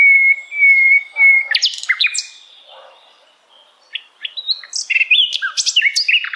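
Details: Sikatan Londo flycatcher singing: a long, steady high whistle, then a quick jumble of sharp, varied chirps and slurred notes, a brief pause, and another burst of rapid high twittering phrases.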